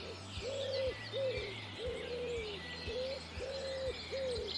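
A Common Wood Pigeon gives a soft, husky cooing phrase of about seven low coos in four seconds. Fainter birds twitter in the background.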